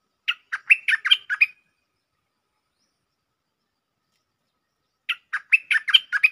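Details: Two bursts of bulbul lure song in the 'Chao Bank' style with doubled notes. Each burst is a rapid string of about six bright warbled notes, and the bursts are separated by roughly three and a half seconds of silence.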